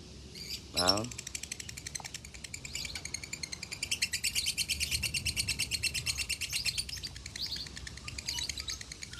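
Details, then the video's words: Konslet-style singing lovebird from a Salatiga, Indonesia farm, used as master tutor song; one loud rasping descending squawk, then sustained rapid buzzy chatter of high notes pulsing steadily, with faint hum underneath. "Masteran Lovebird Konslet ASLI"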